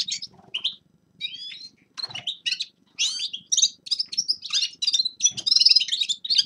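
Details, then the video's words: Forest birds singing in winter: high, varied twittering phrases, slurred whistles and buzzy trills in short bursts, growing denser toward the end, over a faint low hum. "Зимнее пение лесных птиц Winter singing of forest birds شتاء غناء طيور الغابة"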